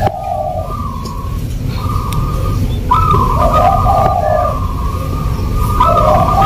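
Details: Local zebra dove in 'irama' rhythmic song. Smooth whistled coos alternate between higher and lower pitched phrases, each lasting about half a second to a second. Constant low rumble runs underneath.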